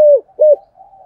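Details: Spotted dove singing in the thổ style: two short, loud, level coo notes about a third of a second apart, the second dropping slightly, followed by a soft, drawn-out hum.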